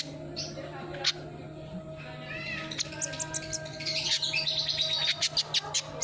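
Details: Sunbird, called kolibri ninja, used as a lure sound to prompt a silent bird to sing: rapid high chirps and short twittering notes in quick bursts, growing denser in the second half, over a steady low hum.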